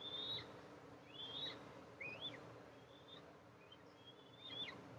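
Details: At an Eastern imperial eagle nest on July 14, 2024, the mother comes in to feed two eaglets under a nest camera; high, thin whistles, some rising sharply at the end, given about every second, fading slightly, with soft hiss behind.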